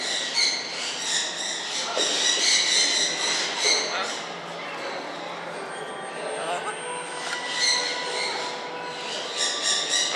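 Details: Catalina macaw at Kakegawa Kachoen bird park, having finished eating a banana and tossing the peel, gives harsh, raspy squawks and grating chatter in quick bursts, several per second, over a steady rough background.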